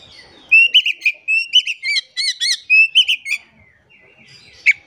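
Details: Oriental magpie-robin lure song for silent birds: a continuous run of clear whistled notes, rising slurs and doubled chirps, loud and varied for about three seconds, then a faint pause and one final sharp note.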